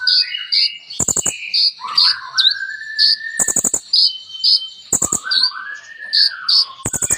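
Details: Sunbird known as kolibri ninja, singing a full song with borrowed phrases. Bright high chirps repeat steadily while lower whistled slides rise and fall, broken by rapid clicking bursts every second or two.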